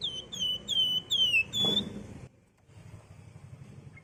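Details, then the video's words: Wergan jawa, known as flamboyan or Sunda warbler, used as a lure for flocking birds: a run of five clear whistles, each dropping slightly, over background hiss, then quiet. "BURUNG WERGAN JAWA GACOR NGEBREN COCOK JADI PANCINGAN OMBYOKAN"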